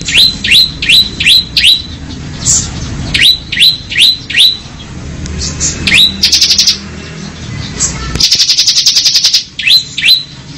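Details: Bar-winged prinia ngebren song: series of sharp rising chip notes repeated in quick runs, broken by dense buzzy trills, one lasting over a second, loud and close.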